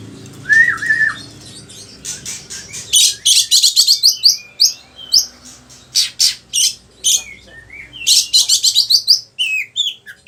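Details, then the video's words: Oriental magpie-robin singing energetically for bird-training purposes: a brief falling whistle, then long runs of sharp, buzzy chattering notes in rapid clusters, and a few slurred whistles. "Pancingan suara kacer gacor, bongkar isian burung"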